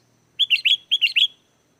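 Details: Sooty-headed bulbul song used as a lure to draw wild bulbuls to answer and sing: two quick phrases of three bubbly, liquid whistled notes each, rising and falling, clean and loud with a quiet background.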